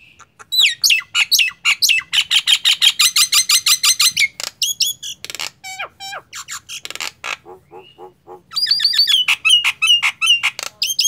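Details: A Nias hill myna in full, vigorous song pours out loud, rapid whistles, squawks and chattering notes in fast bursts, with a brief pause before another run of sharp calls; used as a tutor or lure recording for other mynas.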